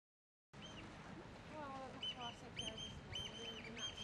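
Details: On Brownsea Island, a Eurasian Oystercatcher feeding on limpets gives shrill, piercing piping notes in quick bursts of two or three, calling for its partner, while a man talks over the start.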